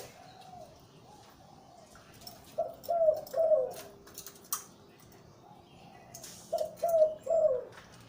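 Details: Zebra dove breeding male with a big deep voice, Lui Tan style, starts with soft drawn-out coos, then gives two groups of three loud rolling coo notes, separated by a pause with a faint tap.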